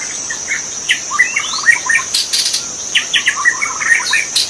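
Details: Wild magpie-robin singing in the forest, producing a fast, varied run of rising whistles and chattering notes, interrupted by short rustles, against a steady insect drone.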